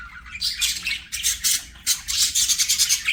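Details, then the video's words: Budgerigars singing and playing, giving quick bright chirps and squawky warbles in three or four close bursts across a few seconds. "BUDGIES SINGING PLAYING"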